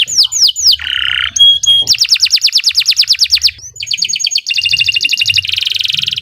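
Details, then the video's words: Canary in long continuous song used as a training model: swooping notes, a buzzy burst, steady whistles, then rapid rolling trills that speed into a dense fast rattle. "Kicau Burung Kenari II GACOR PANJANG Cocok untuk Masteran"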